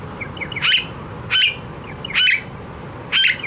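Blue-faced honeyeater giving four loud, harsh, rasping squawks about one second apart, with faint chirps from other small birds in between.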